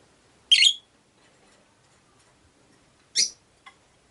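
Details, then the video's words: Two harsh, shrill chirps almost three seconds apart from a pet Rosy-faced lovebird in a window-side cage shared by five birds, followed by a faint short click. "Lovebird Chirping Sounds"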